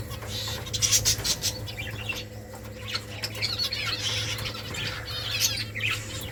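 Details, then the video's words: Nest-building finch colony with several birds giving sharp, high chirps and squeaky twitters in irregular bursts, some wing flapping, over a continuous low mechanical hum. "Finches making nest Finches chirping sounds beautiful finches colony"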